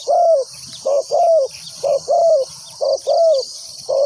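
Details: Caged decoy spotted dove calling wild doves toward a ground trap, giving paired coos, a brief note then a drawn-out descending one, roughly every second, with constant buzzing insects in the background.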